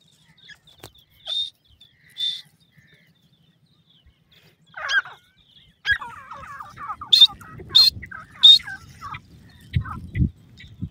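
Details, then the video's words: A male painted francolin calls: two sharp high notes, then a harsh, scratchy rattling phrase capped by three loud, shrill ringing notes. A low rumble comes near the end. "dakhni teetar nar ki boli"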